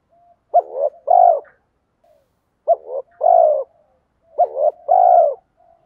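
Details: A spotted dove coos repeatedly to attract wild doves: three low, soft phrases of a stuttering opening note and a drawn-out rounded hoot, roughly two seconds apart, with nothing else audible.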